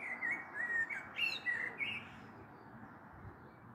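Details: A common blackbird sings in the evening of 21 April 2022, a storm perhaps on the way, heard from a balcony: one mellow, wavering whistled phrase lasting under two seconds, then quiet background hum.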